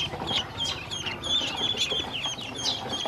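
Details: Hungry baby ducklings peep in a dense overlapping chorus while a woman brings them feed and drinking water; thin high peeps and short rising notes tumble over one another with a low rumbling background.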